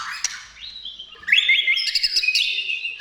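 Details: White-rumped shama song used to lure other shamas into singing: a sliding whistle rising near 0.6 s, then loud rich warbled phrases with sharp clicks from 1.3 s onward.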